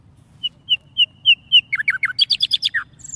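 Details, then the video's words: Warbler kept tamed in a cage, singing a series of clear whistled notes at a steady pace that quicken into rapid descending slurred phrases and a fast trill, with a low background hum. "warble bird tamed in cage and singing very nice"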